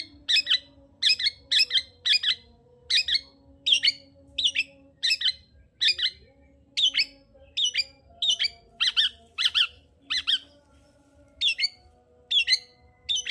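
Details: Long-tailed shrike, recorded as a lure to raise breeding arousal in a bird that is lazy to sing: a long, lively string of loud, harsh chirps, mostly paired or grouped in threes, delivered almost without pause.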